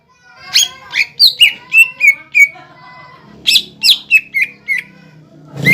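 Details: Lure song of a cucak ijo meant to make young birds sing: two bursts of bright, piercing whistles with downward slurs, separated by a quiet gap, with a low hum and a rustling noise at the end.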